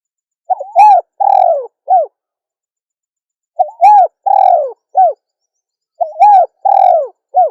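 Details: Female spotted dove cooing three times in a row, roughly every two and a half seconds. Each phrase is a rising coo, a long falling hoot and a short clipped final note, all in a low, mellow voice.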